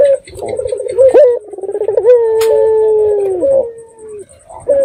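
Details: Local red-eyed dove in full voice, its call used as a lure for other doves: a burst of rapid purring notes, then a long steady coo lasting about two seconds that bends down at the finish, then a brief closing note.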